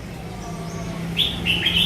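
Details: Short bulbul song fragment: a few quick, clear warbled notes arriving in the second half over a steady low hum.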